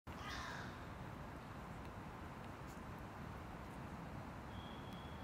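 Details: A hooded crow in Tivoli park, Ljubljana, on 15 December 2023, gives a single harsh, hoarse caw at the start, over a steady low rumble of distant traffic.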